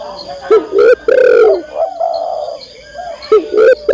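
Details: Spotted dove female calling the male, with deep mellow cooing: quick paired low notes leading into a long hoarse coo, then a quieter wavering stretch before the short notes start again, over a faint constant high-pitched hum.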